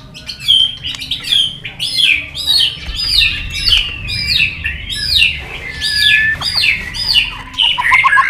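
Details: Long forest-style contest song of a white-rumped shama, tail-flicking on its perch: quick repeated chirping phrases at a steady pace, each note swooping downward, building to a rapid series of short notes at the end.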